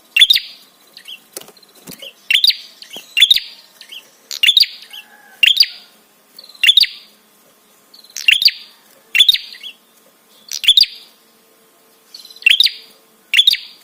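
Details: Prinia therapy call meant to provoke other birds and stir arousal: a long, steady series of sharp, high, stuttering chirps repeated about once per second, with a few softer notes between.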